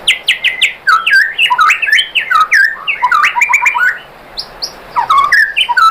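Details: White-rumped shama, song used to goad other shamas into singing: energetic, dense bursts of slurred whistles and harsh chattering notes, a short pause, then more rapid varied phrases.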